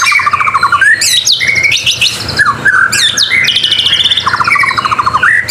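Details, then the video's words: Continuous white-rumped shama song, a fast mix of sweeping whistles, rapid trilled runs and sharp squawky notes jumping between low and very high pitches, packed without pauses. "MASTERAN MURAI BATU GACOR SUPER JITU"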